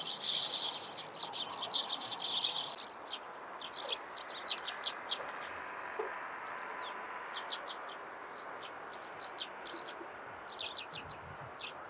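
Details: Morning chirping of Eurasian tree sparrows: after a few seconds of steady high buzzing, crisp separate chirps follow in irregular bursts over low background noise.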